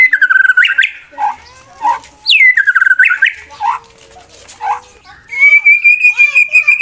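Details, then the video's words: Competition male white-rumped shama singing a fighting song meant to provoke rival shamas into combat: loud, rich whistled phrases sliding up and down, short lower notes between bursts, ending in a long, steady, high whistle. "MURAI BATU LOMBA NGAJAK LAWAN TARUNG, EFEKTIF MANCING EMOSI TARUNG MURAI LAIN"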